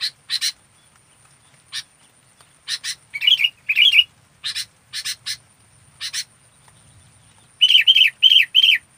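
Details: Local sooty-headed bulbul, described as fully active: sharp broadband chirps, singly or in pairs, mixed with short bubbly warbled phrases at 3.2, 3.8 and four rapid ones near the end, over a steady faint high hum.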